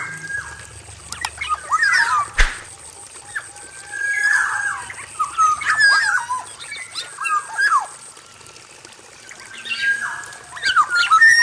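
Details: Aviary-kept male black-naped oriole delivering a full varied song: whistled slurs, squeaky rising notes and harsh rasps spread through the clip, a sharp click near the start, and a steady high whine behind.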